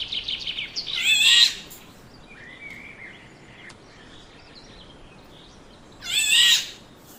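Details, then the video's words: Black-naped oriole, the yellow bird, giving two loud harsh, rasping nasal calls about five seconds apart, with thin chirps and faint whistles between them over quiet outdoor hiss. "Diffrent sound of black naped oriole Bird"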